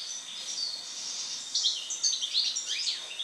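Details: European goldfinch after moult: soft, thin notes at first, then a burst of bright, liquid twitters and quick rising and falling slurs in the second half.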